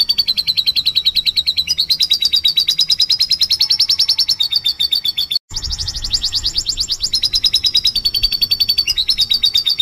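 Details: Vigorous canary song for stimulating other canaries: sustained shrill trills in rapid pulses, rising gradually, then a brief silent break followed by an even faster, higher buzzing trill that drops back into rolling notes.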